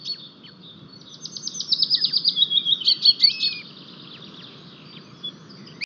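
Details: Estonian white-tailed eagle pair at the nest with one new chick, 4 May 2023, as a fish arrives, live nest camera; a fast, accelerating series of high yelping notes lasting about two seconds, over faint background hiss.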